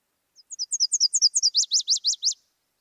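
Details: Nashville Warbler song from southwest Idaho summer warblers: two series of couplets, the first slurred and slowish high paired notes, the second a quicker, more slurred, lower run.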